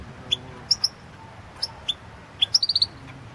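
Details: Competition recording from the 2016 World Championship in Goldfinch Song; the European goldfinch gives isolated high, clear chirps, then a quick run of five rising notes near the end.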